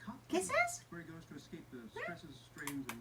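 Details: A 7-month-old male green pied Indian Ringneck parrot with a squeaky voice gives bright rising chirps and squeaky chatter in short bursts, mixed with speech-like mumbling indoors.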